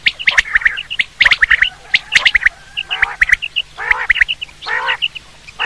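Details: Quail sound used in hunting: rapid bursts of sharp, high chirps, followed by several rough, buzzy squawks at intervals of roughly a second.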